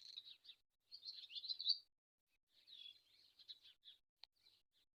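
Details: Swallow twitters in two separate phrases of rapid, scratchy high notes with a quiet gap between, ending in a few scattered chirps and a sharp click.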